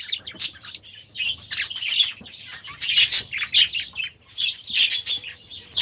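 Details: Last season's young budgerigars, just released into their new aviary, keep up a busy flock chatter of rapid chirps, buzzy trills and sharp squeaks.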